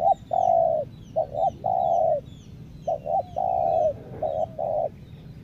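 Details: Spotted dove used as a decoy to lure wild doves on Lombok, giving low, rounded coos in short doubled notes and longer drawn-out phrases, with faint high chirps of other birds in the background.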